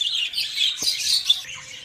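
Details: Budgerigars kept in breeding cages during their first clutch, with eggs and chicks. A dense, continuous wash of high chirping and warbling chatter from many birds, with a single soft thud.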